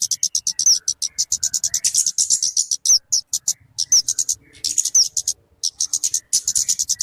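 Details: Kingfisher, locally called talokan or kemade, offered as a lure for bird catching and as a tutor recording for songbirds; rapid bursts of high, sharp chirping notes, several per second, broken by short pauses.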